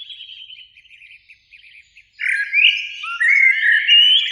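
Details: Two Eurasian blackbirds sing in spring in a beech tree near a lake at evening: soft rapid twittering first, then loud mellow slurred whistles rising and falling.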